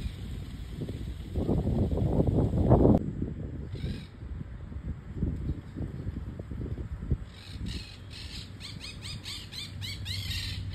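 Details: A flock of over 1000 ducks fills the air with dense, overlapping harsh quacks; heavy low rumbling, likely wind, dominates the first few seconds.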